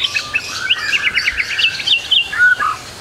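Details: White-rumped shama in trotol style with full fillers, used as a tutor recording to prompt birds to sing: a dense, fast run of varied whistled and chattering notes, clipped phrases rising and falling, ending in a clear whistle.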